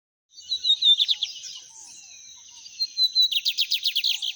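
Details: Lined Seedeater (bigodinho) singing in nature, torneado song style: a slurred whistled opening, then a pause and a second phrase of about ten rapid, evenly spaced buzzy notes, over a steady high-pitched hiss.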